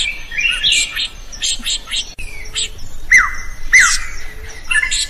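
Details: Energetic drongo singing, used to tutor other songbirds: rapid rasping, scratchy notes and chatter, then loud whistled notes that drop sharply in pitch and hold a sustained ringing tone, repeated about every half second.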